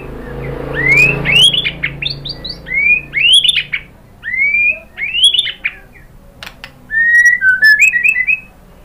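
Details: White-rumped shama singing to provoke other birds into song: clear rising whistled phrases, each ending in a quick upslurred flick, separated by short pauses, with light ticking notes between.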